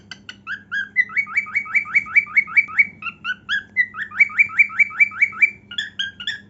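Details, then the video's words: A cockatiel sings loudly while dancing and showing its heart wings, repeating a rising whistled note more than twice a second in long even runs, mixed with short chirps, over a soft background hum. "Cockatiel Dancing & Singing"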